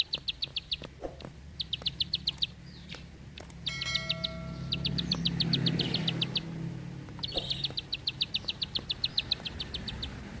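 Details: Bar-winged prinia singing 'tembakan panjang rapet' bursts: groups of fast, high clicking notes separated by pauses, with a passing vehicle swelling in the middle and a brief other chirp.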